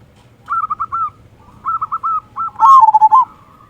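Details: Local zebra dove singing persistently with a big 'kung' voice, a lure to make other doves sing: three bursts of bubbly, stuttering coos, the last louder and falling into rolling lower notes.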